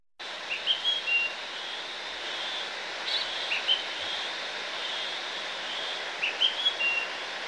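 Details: A house sparrow at a roof gutter in Estepona, Málaga, Spain, in August 2018, gives three brief bursts of bright chirps a few seconds apart, over a steady loud hiss of background noise.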